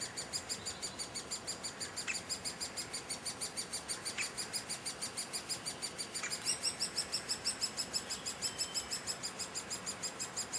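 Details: Great spotted woodpecker young being fed high in a tree at Heeze, Netherlands, begging in a steady, rapid, high-pitched chatter of about three calls per second that continues without pause.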